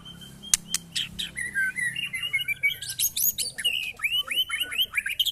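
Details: White-rumped shama caged alongside neighbours' birds, singing a stream of rising whistled notes and short trills, steady and repeated, over a faint low background hum and a few clicks.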